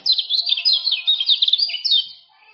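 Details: Male common iora of the Lombok type giving fast 'ciak-ciak' chatter, used to tutor and prompt silent irores to sing: dense run of quick downslurred high notes, nearly continuous for two seconds, then fading.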